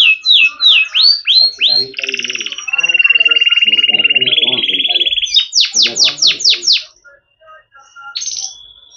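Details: Yellow canary song with whistled sweeping notes, a long buzzy rolling trill, then loud descending chirps, ending in a short rising whistle; soft background noises beneath.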